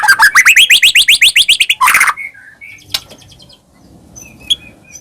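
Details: White-rumped shama song meant to provoke caged birds into singing: a rapid series of rising slurred notes, a harsh burst, then soft scattered whistles fading out.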